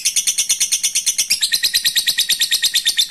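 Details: Lovebird giving its long ngekek chatter to call a rival: a fast, steady stream of high, squeaky, metallic notes, about three per second, running unbroken throughout.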